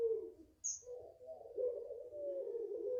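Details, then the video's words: Puter pelung (Barbary dove), five months old, from a home garden, sounding a short coo then a rough, low, continuous long-voice coo that swells and holds to the end; one brief high bird chirp cuts in early. "SUARAPANJANG PUTERPELUNG"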